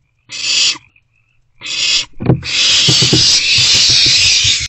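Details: Nest-box owlet receiving a vole from a parent around 1:40 am, 27 March 2024: two harsh hissing screeches, then a longer sustained rasp mixed with thumps and scuffling.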